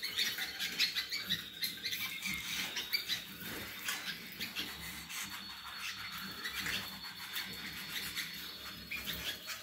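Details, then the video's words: Roller canary of Gheling line sings a continuous, soft rolling warble, with steady trilled tones held for seconds at a time over faint background clatter. "CANARIO ROLLER"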